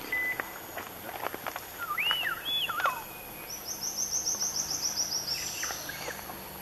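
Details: Purple-throated fruitcrow (Querula purpurata) in Panama, 2015, giving a few loud, slurred whistles that rise and fall, with a high, fast trill from another bird and forest background.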